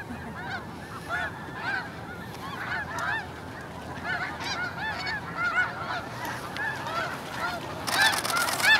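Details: An early-morning takeoff of a large snow goose flock at Hagerman NWR, leaving without warning: a dense, overlapping chorus of nasal, barking honks, with a rush of broadband noise near the end.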